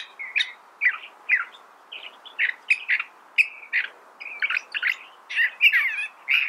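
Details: A California thrasher delivers a steady stream of clipped, varied notes, some sharp and dropping, others buzzy, repeated about twice a second.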